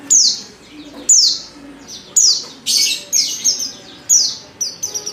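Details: Call of a female Oriental white-eye, used to draw males into song: high, thin descending slurs given about once per second, some doubled into brief stuttered bursts, with soft low tones underneath.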